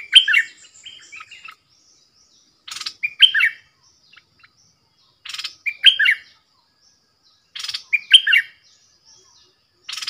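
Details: Caged decoy bulbul singing to lure wild birds: short liquid, bubbling phrases of three to four slurred whistled notes, repeated roughly every two and a half seconds with brief harsh rasps between phrases, otherwise quiet.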